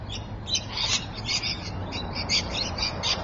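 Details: Rainbow lorikeets at Evans Head, 26 May 2012: shrill, harsh screeches in quick, uneven bursts across the whole stretch, high-pitched chatter over a low background rumble.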